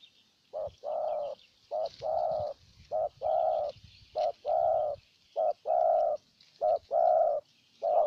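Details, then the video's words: Cooing spotted dove, a decoy bird in Ninh Thuận, Vietnam, luring a wild dove: regular short-long coo pairs, low and mellow, repeated roughly every second, with soft background rustle and faint high twittering. "Cu Gáy Ninh Thuận clip 144 [ Hiệp 2 ] Mồi Siêu Gù thu phục bổi quá tuyệt vời"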